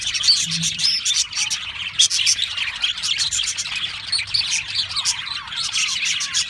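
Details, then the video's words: Several Australian parrots chattering together, sharp bright chirps and little rising and falling squeaks repeated rapidly in a lively, overlapping stream, with a faint low hum underneath early on. "Beautiful Australian Parrots Chirping sounds beautiful Parrots Sounds"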